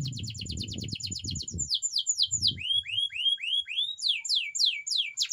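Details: Canary singing a training song: fast repeated clipped notes, then slower curving whistles rising and falling, with low rumbling noise early on.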